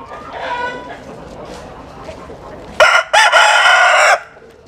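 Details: Dawn crowing while the chickens sun in the morning: quieter far crows, then one loud close rooster gives a sharp clipped opening and a long held final note.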